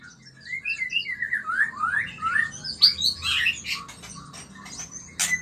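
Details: Mating white-rumped shama in a breeding-stimulation recording. It gives a varied, tumbling sequence of rising whistled slurs, then sharper high chips and clicks, fading before a final loud note.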